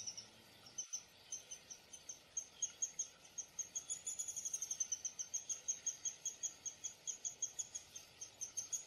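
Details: Downy woodpecker giving a long series of short, high, evenly spaced chip notes, about three per second, briefly quickening and growing louder midway, over a steady faint background hiss.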